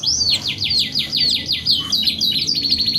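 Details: Canary giving a series of repeated downward-swept whistled notes, about three per second, then switching to a very fast high trill.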